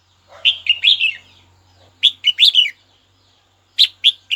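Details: Red-whiskered bulbul calling a rival to rouse other birds: three separate bursts of quick, chirpy, warbling notes, each phrase about half a second to a second, with quiet gaps between and a faint low hum underneath.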